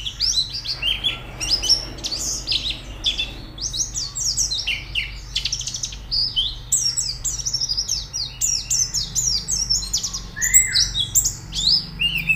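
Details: White-eye training song to make birds sing: long, continuous stream of high, fast chirps and slurred whistles, with a lower rounded whistle near the end and a steady low hum.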